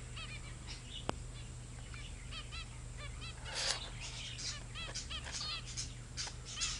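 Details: Zebra finch youngsters, now grown up, chattering with many brief nasal honking calls in quick irregular series, several overlapping, plus a loud click, bursts of rustling wing noise and a low steady hum.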